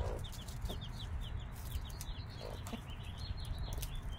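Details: Five-day-old chicks beside their mother hen, giving many quick, high, downslurred peeps in a steady stream, with a few low hen clucks and a heavy low hum throughout.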